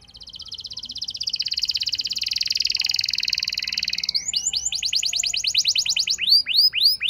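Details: Canary song used as a lure to prompt a less eager canary to sing at length: a long fast buzzy trill around high pitch, then rapid repeated downslurred whistled notes, about three per second.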